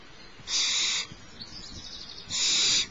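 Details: Youngest barn owl owlet at Starr Ranch begging while its mother feeds it, morning of 6 March 2011; two loud, rasping hiss-screeches, each about half a second long, with a softer hiss between them.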